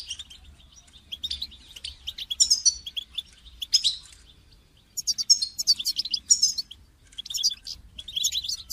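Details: European goldfinch call song played to motivate a caged goldfinch to sing: rapid, tinkling, high twittering in dense bursts with short liquid trills and brief pauses, over a faint low rumble.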